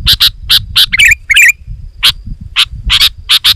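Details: Sooty-headed bulbul in loud, dense, lively song, meant to lure wild bulbuls into approaching and provoke them to sing. Sharp bright chipping notes come in quick succession, with two brief warbled notes midway and a faint low rumble underneath.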